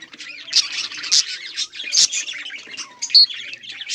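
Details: Several captive budgerigars in a colony, recorded on 24 July 2023 while playing, keep up a busy overlapping chatter of high, squeaky chirps and warbles, with louder sharp peeps every second or so.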